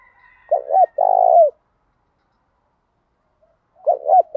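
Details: Spotted dove in the thổ đồng song style, meant to provoke males into answering: a short doubled coo and a long rolling purr, then a pause and the next phrase starting; a faint higher tone is heard at the start.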